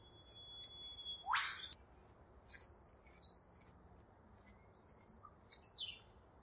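Double-barred finch giving thin, high, slightly rising nasal calls in short bursts about every half second, with one brief sharp downward swish early on.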